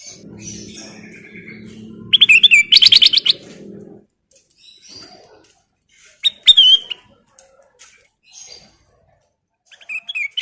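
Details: Vigorous nyiul song of a black-crested bulbul: a loud rapid string of bright chirps, later a short whistled phrase and faint chirps, with a steady low hum early on.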